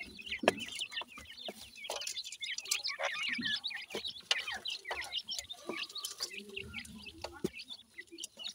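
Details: Grey francolin chicks feeding together: continuous soft, high chirps and short slurred peeps from several birds, with occasional pecking clicks.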